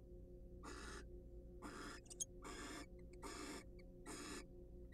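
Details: Raspy broadband hisses from wild barn owls during a preening and courtship session in a nest box. Five bursts come about every second, with faint ticking clicks between them and a low background hum.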